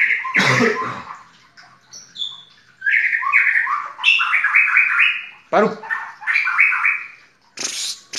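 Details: White-rumped shama singing at full volume, varied rising whistled and slurred phrases in quick stepped series, interrupted by sharp broadband clicks or knocks.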